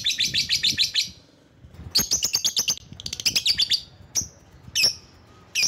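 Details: Rival-luring lovebird sound: rapid bursts of grating, high chattering notes, about eight per second, broken by pauses, then several single piercing shrieks.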